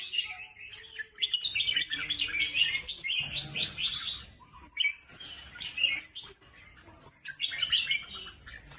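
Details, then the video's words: Caged-bird stimulation recording of red-whiskered bulbul: quick bursts of cheerful warbling notes in clustered phrases, broken by short pauses, over a soft low background hum. "เสียงนกกรงหัวจุก สำหรับต่อ หรือ เปิดให้นกคึก เสียงเพราะๆ"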